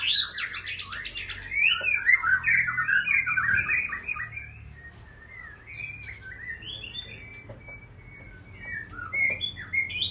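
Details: White-rumped shama from Aceh singing in its cage: a loud opening flurry of rich warbled and whistled notes, then softer, scattered slurred phrases with pauses and a brief renewed outburst near the end.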